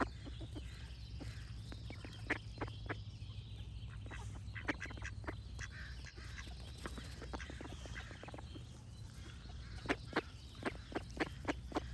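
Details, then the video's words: Duck calls scattered across a long stretch: many brief rasping quacks, some in quick clusters, with quieter gaps, over a steady low-pitched hum and faint high bird song. "Cute Duck Quack Sound Effects with Birds Singing"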